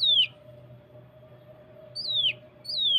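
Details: Cucak kinoi training recording for prompting song, in the 'tembakan rapat' style: three loud whistles sliding sharply downward, widely spaced, over a steady low hum.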